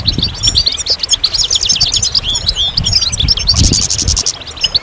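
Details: Goldfinch singing a fast, unbroken stream of bright, tinkling twitters and short buzzy trills, high-pitched and densely packed throughout, with low thumping rumbles underneath.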